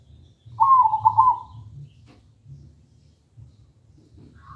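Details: Melodious local zebra dove song, serving as a lure for doves that do not yet sing: a single rolling, warbled coo phrase of about a second, followed by quiet low murmuring background.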